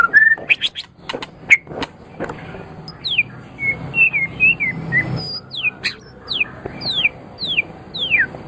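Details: White-rumped shama song used as a tutor recording for training pet songbirds: a few sharp clicks and short notes, then a series of clear, high, downward-slurred whistles repeated about every half second.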